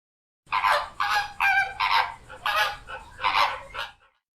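A flamingo gives a rapid series of about seven harsh, nasal, goose-like honks over three and a half seconds, with no other sounds.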